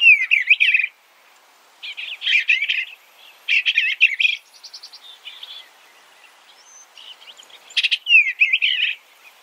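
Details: An Eastern bluebird gives bursts of soft, burbling warbles, each about a second long and set apart by short gaps. Faint higher twittering lies between the phrases.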